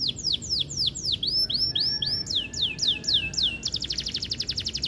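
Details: Lively canary song for triggering breeding desire in hens: a string of sharp downward-slurred whistles, a few repeated in pairs, ending in a rapid bright rattling trill.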